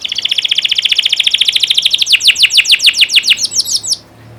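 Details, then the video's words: Canary tutor song for teaching young birds: a long, fast, even trill of repeated buzzy notes that shifts into sharper, higher sweeping notes before stopping abruptly. "Masteran burung kenari paud biar gacor"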